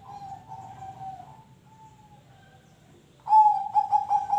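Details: A zebra dove's song, used to coax other birds into singing. A faint, drawn-out coo comes first, then a loud burst of rapid, rolling cooing pulses.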